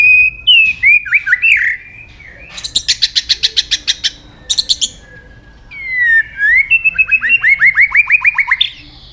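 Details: White-rumped shama (murai batu) singing lively lure song with filler phrases: looping whistles, a long train of sharp clicking notes, then rising whistled phrases with rapid descending flicks.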